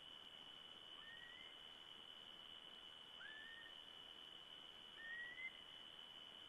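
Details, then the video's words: European golden plovers in Alutaguse Forest at 23:39 on 8 August 2012 give three soft, plaintive whistles, each slightly rising, spaced about two seconds apart, over a steady high insect drone. "Golden plovers"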